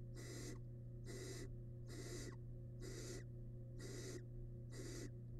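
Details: Wild barn owl nestling in a nest box while devouring a large rabbit remain, giving six long, harsh, breathy hisses, each about half a second, repeated at an even pace of roughly one per second, with a constant low hum beneath.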